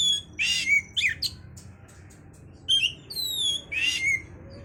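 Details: Song of an oriental magpie-robin played to boost breeding urge: two loud rasping bursts ending in downslurred whistles, a pause, then long, pure, slightly falling whistles and another harsh burst.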